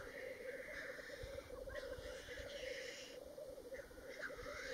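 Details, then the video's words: Black grouse on Ruabon Moor, Worlds End, North Wales, 25 March 2018: continuous deep bubbling overlaid by repeated loud, rushing hisses, some with a rising whoosh, over a gusty background. "Black Grouse at Worlds End Ruabon Moor North Wales on 25th March 2018"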